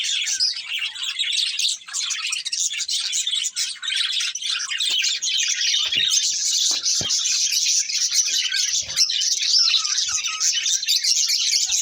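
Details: Steady, high-pitched chirping chatter from a budgerigar breeding pair, a dense stream of quick twitters and scratchy warbles with a few soft clicks underneath.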